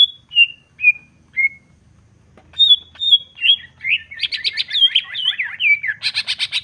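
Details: Greater green leafbird in lively song meant to provoke other birds: four spaced whistles stepping down in pitch, a pause, then rapid varied warbling twists that end in a burst of fast buzzy notes.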